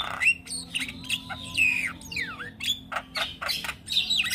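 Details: Harsh, scratchy squawks and a few bent whistles come in quick succession from a young Javan myna that chatters all day, with short pauses between the burst groups.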